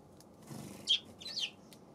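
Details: Eurasian tree sparrow recorded on 7 February, giving two short, sharp high chirps about half a second apart over a low background hum.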